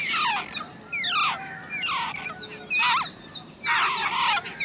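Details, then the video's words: Wild babbler chicks under a feeding, protective parent make descending squeaky slurs and raspy bursts, about one a second. "Wild Babbler Bird Feeding And Protecting To Her Chicks"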